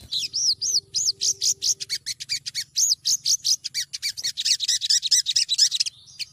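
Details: Lure recording of a female Olive-backed Sunbird (sogon) calling the male: an almost continuous rapid string of shrill, arched chirps and thin ticks, speeding into a dense chatter near the end, over a faint low steady hum.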